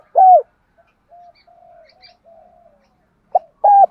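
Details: Spotted dove calling to attract other doves: one loud hooked coo, then faint low cooing from farther birds, and the next phrase starting with two loud clipped coos.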